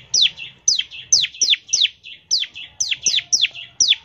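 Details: Actively singing bar-winged prinia, ngebren style, played as a lure so other prinias start singing: a steady series of ten bright, downward-slurred whistles with short gaps between them.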